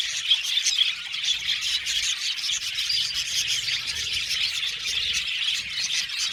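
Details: Budgie colony in an aviary, dense singing and chirping from many birds, rapid squeaky notes layered into a steady bright chatter.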